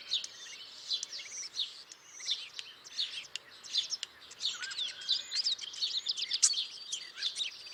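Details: Starling chirping as a crowded, unbroken chorus of scratchy squeaks, clicking rattles and brief whistled slurs, growing busier and louder toward the end.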